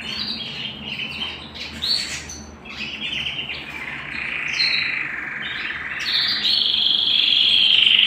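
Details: Home canary song with scattered chirps and short trills at first, building into a sustained rolling trill that grows louder and more piercing over the final seconds.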